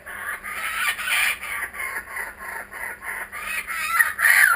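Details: Back-again kookaburras keep up a rhythmic laughing chorus of harsh, evenly pulsed 'ha-ha' notes, about two per second, ending louder with a rising, ringing hoot.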